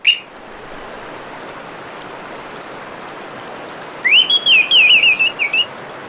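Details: Orange-headed thrush singing over steady trickling water: after four seconds of only the water's hiss, one fast warbled phrase of looping, sliding whistles, about a second and a half long.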